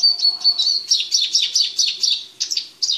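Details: Male Eurasian siskin, caged during preparation for mating, produces a run of high chirping notes repeated roughly twice a second with slurred tones, ending in a couple of sharper chirps; a faint low hum sits underneath.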